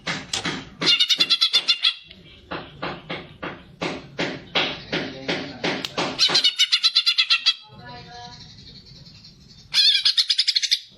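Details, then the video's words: Greater green leafbird fighting song meant to stimulate other birds: strong repeated chopped notes at a steady beat, a fast rattling run, then a burst of bright chattering phrases. "cucak ijo gacor figter cocak untuk pancingan burung"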